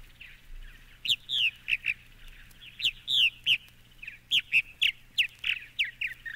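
A Purple Martin sings a run of liquid, gurgling chirps and slurred notes, about three a second, rising and falling in a rich, chattering jumble.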